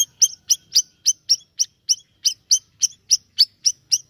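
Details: Lively siri-siri bird song, a steady run of bright, high chirps repeated about every quarter second, each with a short trailing whistle, on a quiet background.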